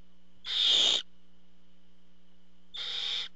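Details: Barn owl nest, the male parent bringing food: a loud rasping hiss followed about two seconds later by a quieter, slightly longer one, over a steady low hum.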